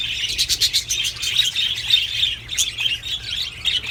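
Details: Budgerigar mating call for stimulating breeding: loud, lively warbled chatter of rapid trills and chirps, rhythmic bursts roughly every quarter second at first, then a steady flowing stream with a sharp high squeak.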